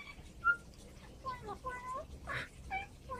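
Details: An Australian magpie, a mimic of several bird types and even barking, runs through short, clear whistled notes, some sliding and warbled, broken by a harsh, rasping burst partway through, within about three seconds.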